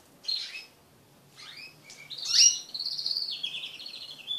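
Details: Group of mating crested canaries kept as pet birds: a sparse phrase of high chirps builds into a loud, sliding whistle and then a fast rattling trill.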